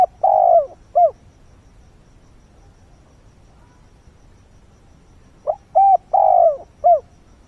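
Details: At dawn a decoy spotted dove calls to lure wild birds. The end of one phrase opens the recording, and after a pause comes a full four-note phrase of a short note, a coo, a long falling coo and a brief closing coo.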